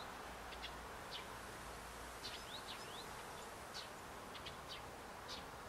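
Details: Tits at a bird feeder outside a window: short, thin, high calls, some with quick downward or upward sweeps, given singly and in small bursts over a steady background hiss.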